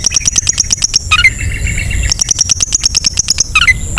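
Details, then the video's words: Long-tailed shrike ngetet song, used to trigger singing in sluggish birds: quick rattling tick series alternating with brief upslurred whistles and a soft warbled passage. "SUARA CENDET NGETET"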